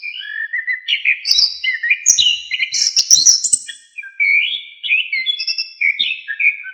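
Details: Orange-headed thrush, locally anis kembang, sings a lively, varied song for training songbirds: tumbling whistled phrases, high chattering trills in the middle, then a run of swooping whistles.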